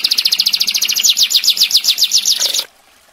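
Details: Canary rattling off a fast, machine-gun trill of about twenty bright, high notes in under three seconds, then stopping abruptly; no other sounds.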